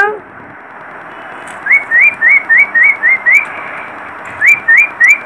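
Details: Baby parrot repeating short upward-flicking whistled peeps, about four per second in two runs of seven and three, clear and even, against faint hiss.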